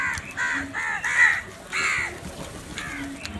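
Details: Crows fighting over food, giving a run of harsh, hoarse caws with stacked harmonics, four loud calls close together in the first two seconds and fainter ones after.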